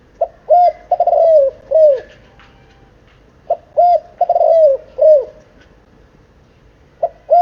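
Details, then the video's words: Spotted dove, seven months old, giving deep mellow coos. Two short notes lead into a drawn-out vibrating coo and a drooping final note. The phrase comes twice within a few seconds, then a third begins. "Tiếng chim cu gáy,gáy kích bổi ,nghe là gáy"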